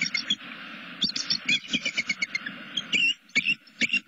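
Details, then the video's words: Greeting calls from a wild bald eagle pair at their Southwest Florida nest, recorded by a nest cam as the male arrives beside the waiting female. A rapid chattering series of high, thin piping chirps, with a constant low hum behind. "greetings - SW Florida Bald Eagles"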